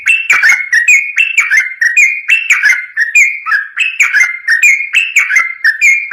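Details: {'caption': 'Yellow-vented bulbul in energetic continuous song, used to prompt other bulbuls to answer: bright, bubbling whistled phrases rising and dipping, delivered back to back without pause.'}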